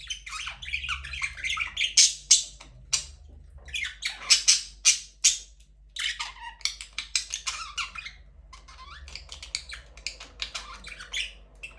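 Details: Aviary budgerigars, breeding under way with the first chick hatched, keep up a busy stream of grating squawks and clicking chatter. Louder peaks come in clusters and then fade into softer twittering.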